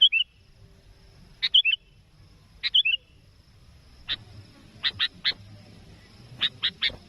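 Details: Sooty-headed bulbul luring a rival for trapping: crisp two- and three-note whistled phrases at first, then a run of short sharp chip notes in small groups, over low background rumble.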